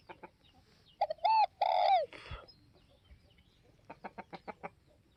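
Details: Cooing of a spotted dove from northwest Vietnam: a clipped short note followed by two drawn-out, slightly downslurred coos. A brief rustle follows, then a series of soft rapid clicks.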